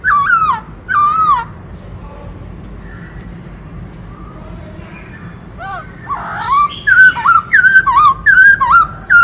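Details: Black-throated laughingthrush singing and dancing, shifting through many voices to provoke newly caught birds: two loud looping whistles, a quiet pause with faint high notes, then a rapid run of ringing, swooping whistled phrases.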